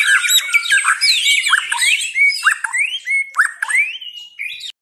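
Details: White-rumped shama singing a varied medley: crowded high whistles and chatter at first, then spaced slurred notes and clear rising whistles, each phrase a second or so apart, ending abruptly.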